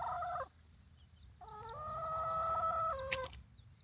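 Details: Baby chicks outside the coop; sustained, evenly pitched harmonic calls, one short and one long drawn-out note, with faint high chirps of other birds in the background.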